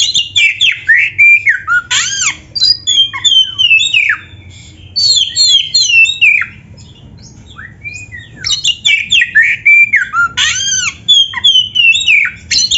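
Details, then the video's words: Oriental magpie-robin in full, lively song, used as a training recording for young, lazy or quiet kept birds. Rapid bursts of varied whistled and slurred notes, many swooping downward, pause near the middle, then resume energetically. "SUARA BURUNG KACER GACOR FULL MATERI"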